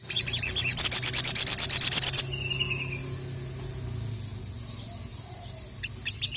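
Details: Crested jay, a contest songbird, provoked by a rival: a long machine-gun rattle of about fifteen high dry clicks over two seconds, then a quiet stretch and a few short clicks at the end.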